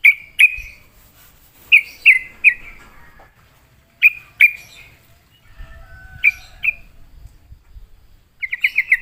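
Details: Sooty-headed bulbul, a reluctant singer lured into answering, giving short bright chirped notes in clusters of two or three with pauses between, then a fast rattled run of notes at the end; faint low rumble underneath.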